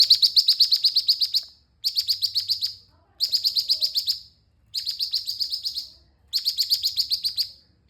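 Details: Orange-spotted bulbul singing vigorously: high, bright chirping bursts of about ten rapid, evenly spaced notes, each burst lasting over a second and separated by short pauses, with a faint low hum underneath.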